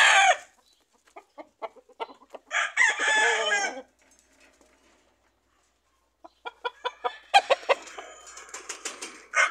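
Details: Roosters, hens and chicks among fruit trees, with natural ambient sound: a brief, strained crow of about a second, amid scattered sharp clucks and bursts of flock chatter.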